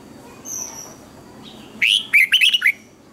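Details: Red-whiskered bulbul (chào mào) morning training song: a faint high whistle, then a loud burst of five or six quick, bubbly, rich notes packed into under a second, used as a lure to train other birds.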